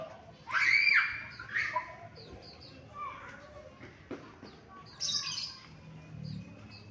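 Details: Yellow-bellied prinia, a local bird from Batam, Indonesia: a loud buzzy burst of chirping at the start, then softer scattered chirps and another high, harsh burst a few seconds later, with faint voices in the background.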